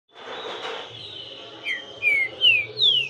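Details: Green-winged saltator (trinca-ferro) singing: a faint steady high whistle over hiss, then four loud, clear whistled notes in the last half, each a short slur, the first low and the rest higher, some falling, the final one rising.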